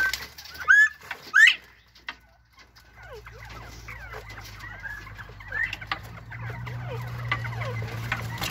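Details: Bobwhite quail chatting it up: two loud, sharp swooping notes open, then a pause before a run of quieter, quick descending chirps and clucks that continues over a steady low hum.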